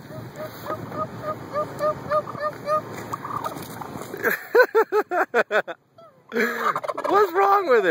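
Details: Angry, attacking turkey calls in a quick, uneven series of short yelps for about four seconds, then people's loud laughter and talking take over.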